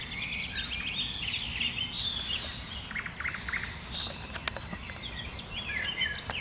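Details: Common nightingale singing from bushes, a busy varied phrase of high chirps, clicks and short whistles tumbling rapidly, with soft hiss beneath.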